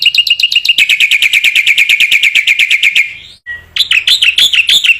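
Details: Black-winged myna singing strongly, kept as training material for other mynas: a long rapid trill of sharp even chips for three seconds, a short low whistle, then quick loud upslurred chirps.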